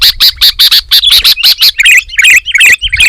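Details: Sooty-headed bulbul singing loudly and densely, said to provoke other bulbuls to answer; rapid bright chirps repeated almost three times a second, shifting into lively warbled, falling phrases.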